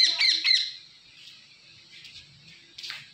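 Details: Indian ringneck parrot flock: a rapid burst of four or five shrill, harsh screeches at the start, then a steady hiss and one quieter squawk near the end.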